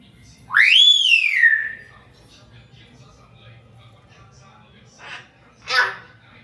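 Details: Hill myna kept as a pet and interacting with its owner: one loud, arching whistle rising then gliding down, followed by quiet and two short harsh bursts near the end.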